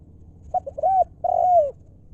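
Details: Low, soft cooing of a spotted dove used as a decoy for wild doves, 'lio' style: short clipped notes building into an arched coo and a lengthy descending final coo.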